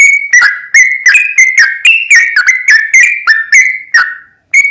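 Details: Sooty-headed bulbul song in a long continuous chatty style, used as a lure to provoke another bird into singing: a fast run of liquid, bubbly whistled notes at mid pitch with rich overtones, flowing almost without pause and briefly breaking near the end.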